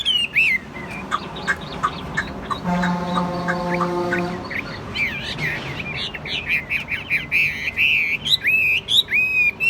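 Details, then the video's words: Caged Chinese hwamei, described as 80% tamed and calm, not jumping about, singing loud varied whistled phrases, sliding and warbling, in bursts at the start and throughout the last four seconds; a steady low humming tone sounds in the middle. "Chim hót tốt giọng hay"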